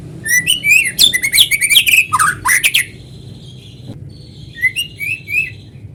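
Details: White-rumped shama in energetic song, used to draw other shamas into singing. A dense run of looping whistles, clicks and harsh notes, then a steady high whistle and a few softer fluted phrases.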